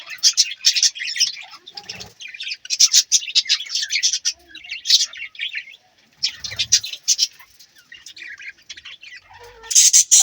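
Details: Budgies chirping in loud bursts of dense, rapid high chatter, broken by brief quieter gaps with faint low rustling.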